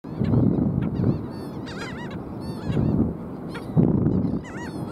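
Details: Black skimmers calling at South Padre Island, Texas, on 5 April 2023: short nasal barking notes with arched harmonics, several birds overlapping in loose bursts, over steady low surf and wind rumble.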